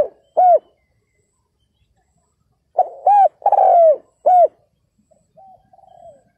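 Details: Spotted dove decoy calling to attract wild males; an early short coo, then a full phrase of arched, long falling and arched coos, trailed by soft quiet cooing notes.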